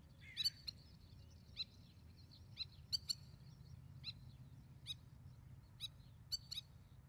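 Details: A spur-winged lapwing parent with chicks in Israel, during the breeding season, gives sharp, high, metallic tik notes, single or paired, every half second to a second, over a low rumble of background noise.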